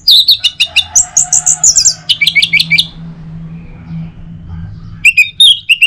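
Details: Orange-headed thrush singing, meant to stimulate others to sing in the morning. Quick series of sharp chirps, then high descending whistled slurs and a fast repeated phrase, a pause with faint hum, then renewed chirping.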